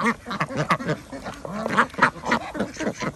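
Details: Flock of ducks at a village duck farm in Andhra Pradesh during feeding, giving hoarse quacks in rapid irregular bursts, with a few higher squeaky notes mixed in.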